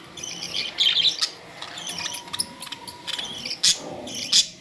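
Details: Budgerigar chatter: bright warbled chirps in short clusters, a thin faint tone running underneath, and a couple of sharp loud notes near the end.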